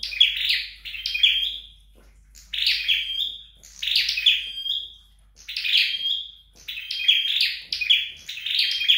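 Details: Flowerpecker sings in home training: bright high chirps run into short level whistles, phrases coming in groups with brief silent gaps, in a quiet indoor setting.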